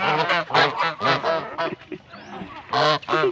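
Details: Hungry goose giving harsh, nasal honks in short bursts, some in quick doubled pairs, with brief gaps between the calls.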